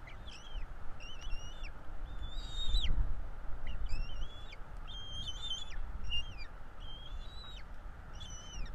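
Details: Bald eagle chicks at a Florida nest, 05/04/2022, begging while fed: repeated high whistles, some wavering or stepped, clustered in quick pairs, with a low thud near three seconds and constant rumble.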